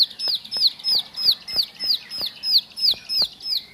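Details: Bar-winged prinia song of the ngebren style, here slower: bright high downslurred notes repeated about every third of a second, with occasional faint clicks behind.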